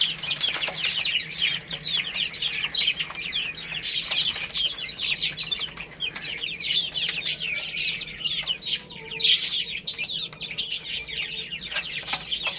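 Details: Many chicks feeding on rice chirp constantly, the high peeping notes crowding together in an unbroken chorus, punctuated by frequent sharp taps and clicks.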